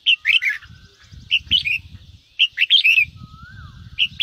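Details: Red-whiskered bulbul singing in the ché style, played to fire up other bulbuls to sing: short bursts of bright, warbled notes in three clusters, with a faint rising-then-falling whistle between them and a low rumbling background.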